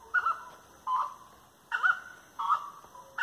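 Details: Grey-necked wood rail song at dusk, 18:30 on 25 March 2022, near tree-lined walks; four loud, separated nasal notes, some falling and some rising, spaced under a second apart.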